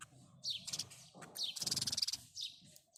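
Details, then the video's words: House sparrow giving short high chirps, then a fast stuttering run of chirps around the middle, followed by a single chirp; faint low background hum. "house sparrow birds call | house sparrow sound | house sparrow chirping"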